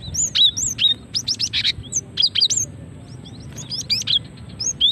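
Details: Female cinereous tit calling to lure males and set them singing; quick series of bright, sharply rising and falling chirps and short dense chip bursts, then a brief pause before more high whistled notes.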